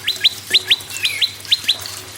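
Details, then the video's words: Prenjak (prinia) song used as a lure to get other birds singing: sharp upward-flicking notes given in quick pairs, four pairs over two seconds, with faint background hiss. "PRENJAK LUMUT GACOR PRENJAK KEPALA MERAH GACOR TERAPI PANCINGAN SEMUA BURUNG MACET AGAR BUNYI GACOR"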